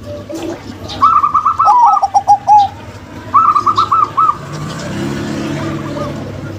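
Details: Zebra doves, a local female and a crossbred male, give two bursts of rapid pulsed cooing, with a second, lower bubbling voice overlapping the first phrase. A fainter coo trails off at the end over a low background hum.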